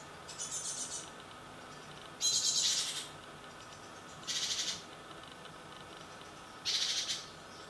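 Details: Young great tits fledging from a nest box on a balcony at 7 in the morning, second brood: hissing, broadband bursts of about half a second, repeated roughly every two seconds, with a quiet background.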